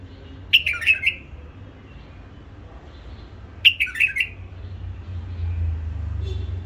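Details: Two short liquid phrases from a hybrid bulbul bred in captivity, about three seconds apart, each a fast cluster of three or four whistled notes. A low rumbling hum rises near the end.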